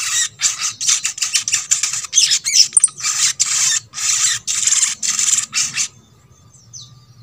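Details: Sogok ontong, or little spiderhunter, song meant to stir silent birds of its kind into singing: loud, harsh, buzzy high bursts repeated rapidly for about six seconds, then near quiet with faint high notes.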